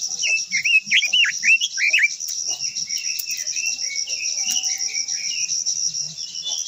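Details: Japanese white-eye (quế lâm) long-voiced song used to provoke other birds: a fast run of swooping, twittering notes in the first two seconds, then softer warbles, over a steady high cricket drone.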